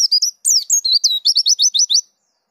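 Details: Pleci dakun white-eye rolling its song: a few varied high slurs, then quickly repeated sweeping notes, about eight in under a second, before stopping.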